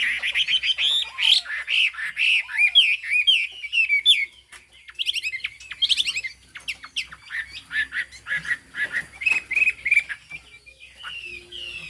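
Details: Highland hwamei from Hà Giang, Vietnam, with a turmeric beak and fig-leaf tail, pours out varied whistled and warbled phrases, loud at first, dipping briefly quieter mid-song, then resuming with rapid chattering notes and clear whistles.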